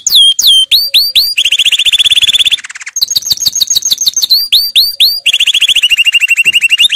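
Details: Powerful canary training song with shifting phrases: bright upslurred whistles, long fast buzzy rattling trills, quick repeated chips, each section changing abruptly to the next, loud and continuous.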